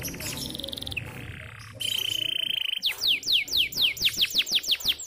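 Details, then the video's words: Local canary singing with prinia-style imitations: a flat whistled tone, a ringing level trill, then a fast series of falling whistled sweeps about four per second, over a noisy background. "Kenari lokal isian prenjak"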